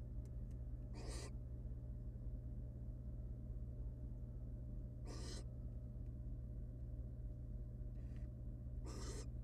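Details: Female barn owl at her wild nest, where three of four eggs hatched; she eats the dead nestling from the fourth. Loud, raspy hiss-screeches repeat every few seconds with a faint one between, over a low hum and light clicks.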